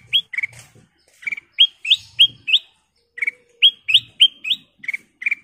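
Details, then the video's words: Kutilang emas bulbul in full, lively song, used as a lure and training master: clear whistled notes sliding upward, quick runs of three or four bright phrases with short pauses, soft low thumps underneath. "Suara Paling Cakap Burung Kutilang Emas full isian"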